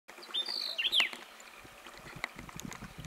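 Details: Arabian golden-winged grosbeak in the Qara Mountains, Dhofar, Oman: a brief burst of thin, high, slurred whistles with a sharp downward note, then quieter background with faint rustling.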